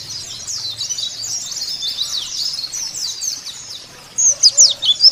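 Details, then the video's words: High, unbroken twittering of a caged white-eye, a song used to make white-eyes sing, ending in a burst of loud, sharp chirps; a faint low hum in the background. "Pancingan Pleci Agar Buka Paruh Sobek-Sobek"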